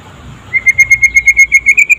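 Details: Daytime song of a white-rumped shama of the trotol kind, meant to draw other shamas into singing: after a quiet start, a quick, evenly spaced series of sharp whistled pips at steady high pitch, rising slightly toward the end.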